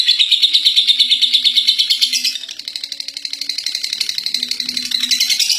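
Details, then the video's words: Ngekek chattering song from a first-place contest lovebird: rapid, high, rasping pulses about three per second, loud at first, then softer mid-way and swelling again, with a faint low hum beneath. "Love Bird Juara 1 ngekek 3 menit"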